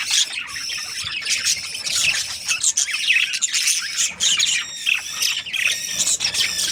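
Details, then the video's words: Several breeding pairs of budgerigars keep up a steady, unbroken chorus of high, grating chirps, squeaky warbles and rapid twitters, many birds calling over one another throughout. "Budgies parrot chirping sounds"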